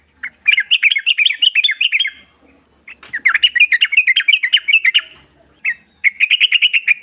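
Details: Yellow-vented bulbul in wild forest ambience, played to coax kept birds into singing back. Long runs of rapid chattering, bubbly notes come in three bursts, the last a tight row of repeated chirps. A faint steady high hum runs throughout.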